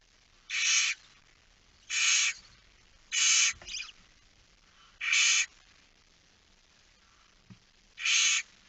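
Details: Barn owl chick left briefly alone in its nest, recorded 9 September 2019 at 20:09; loud rasping hisses of about half a second each, five in under nine seconds, with one short extra rasp.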